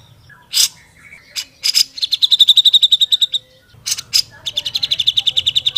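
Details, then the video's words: Vocal grey-cheeked bulbul mixing harsh broadband notes with quick runs of sharp, evenly spaced chirps, two loud rasping bursts midway, then another accelerating chirp sequence. "MASTERAN CUCAK JENGGOT GACOR SUPER PEDAS"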